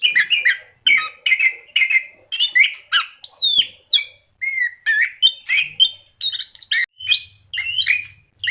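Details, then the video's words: Orange-headed thrush in full song, delivering a rapid series of varied whistled phrases and mimic-like chirps, each burst separated by brief pauses, with little background sound. "SUARA ANIS KEMBANG GACOR"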